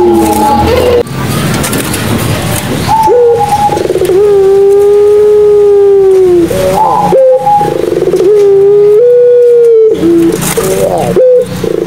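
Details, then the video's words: Long Madura pelung coos of Barbary doves, intended to set off silent doves: extended, level, gently arching tones of several seconds each, several birds overlapping, with brief rough bursts between phrases. "SUARA PUTER PELUNG MADURA COCOK BUAT PANCINGAN PUTER PELUNG MACET BUNYI"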